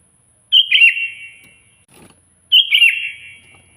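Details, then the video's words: Loud sooty-headed bulbul song used to call a rival: two short rich, fluty, tumbling phrases two seconds apart, echoing away, with a faint knock between them. "suara burung kutilang gacor keras, paling ampuh memanggil lawan auto emosi"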